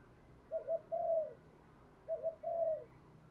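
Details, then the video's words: Spotted dove calling in the Thúc Đấu style to attract wild doves. Two matching phrases about one and a half seconds apart, each a quick double note followed by a longer drawn coo that falls away, over steady low background hum. "Tiếng chim cu gáy Thúc Đấu gáy gọi kích bổi cực nhạy"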